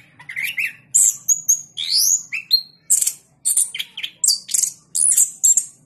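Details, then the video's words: Singing in the prized 'gacor ngeplong' manner, a caged orange-headed thrush that once won the president's cup in Jogja pours out varied phrases: rising whistled slurs, upward sweeps and clipped high chirps in close succession. "Anis Kembang Gacor Ngeplong ISTIMEWA"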